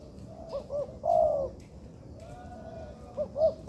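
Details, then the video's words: A spotted dove being trained in an artificial yard repeats its phrase: two short upward-bent notes, then a longer steady coo. The sequence comes twice, with faint clicks and background hiss. "Melatih Bahan Ajaran Tekukur di Laman Buatan"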